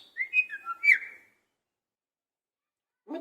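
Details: Caged pet parrot vocalizing, a bird said to imitate a cat's voice; a quick run of clear whistled notes sliding up and down for about a second, then silence and a short low sound at the end.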